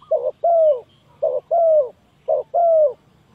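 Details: Spotted dove used as a lure for trapping doves, giving three quick phrases, each a short low coo followed by a longer, slightly falling coo, about one second apart.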